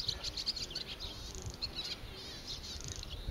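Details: Swallows newly arrived in early spring after migration, struggling to find insects in harsh weather, give quick, high twittering chirps in short bursts over a low background rumble and a faint steady high whine.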